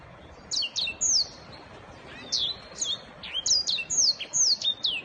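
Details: Singing black-throated canary, song style called 'giọng vip': clusters of piercing, high whistled notes with quick downward slurs, a brief pause near the middle, then a denser, louder burst of rapid twittering to the end.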